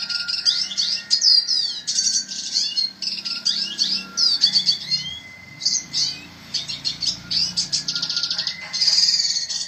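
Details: Red siskin song of fast high twitters, rasping buzzes and quick descending slurs, set against steady drawn-out whistled tones from other caged birds and a low background rumble.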